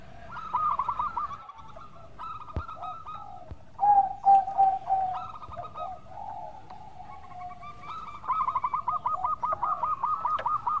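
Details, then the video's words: Local zebra dove singing actively in a melodious voice, used as a lure to stir other doves. Bursts of short hooked coos repeat rapidly, with drawn-out lower trilling coos between them. Overlapping cooing suggests more than one bird. "Pancingan Perkutut Lokal Gacor Suara Merdu"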